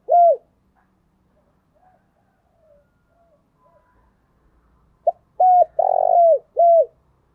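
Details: Spotted dove cooing to stimulate decoy doves, giọng thổ style: one falling coo opens, faint soft notes follow, then a full phrase of short note, level coo, buzzing trembling purr and drooping final coo.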